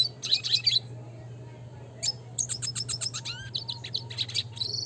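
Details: Red siskin classic song for bird training: a short burst of high chattering twitter, then a run of quick repeated sharp chips and a rising whistled note, ending in a sustained buzzy tone, over a constant low hum.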